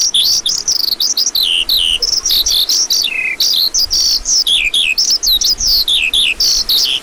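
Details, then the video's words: Lark singing a fast, continuous high warble of chirps and trills, with one lower, buzzy, drawn-out note near the middle breaking the stream. "Lark Calling Sound"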